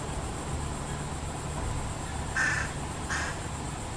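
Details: Fish crow near parents feeding their only fledgling, giving two short nasal calls late in the clip over a steady low hum.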